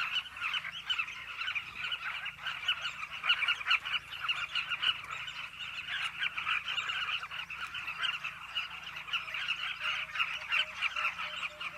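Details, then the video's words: Massed calls of Carmine bee-eaters at their cliff nesting colony: a steady, crowded chorus of short, burry notes from many birds, continuing without pause and varying little in loudness. "The Carmine Bee-eaters cliff colony."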